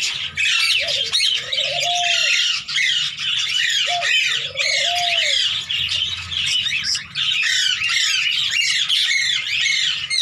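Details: Hand-tame Indian green ringneck parakeet playing with its keeper, giving harsh, dense squawks and chattering calls almost without pause, with two lower drawn-out rising-falling notes near the start and end.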